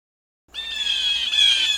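A Blue Jay gives one harsh, raspy, drawn-out call, loud and steady for over a second, with nothing else heard.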